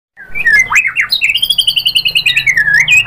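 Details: White-rumped shama song used to provoke other shamas into singing: a rapid series of clear whistled notes around mid-high pitch, pulsing steadily several times a second after a few sliding opening whistles.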